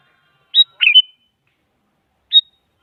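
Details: Sooty-headed bulbul singing, a lure meant to make a silent bulbul answer: one high clear note followed by a bubbly, slurred whistled phrase, then a lone high note after a pause.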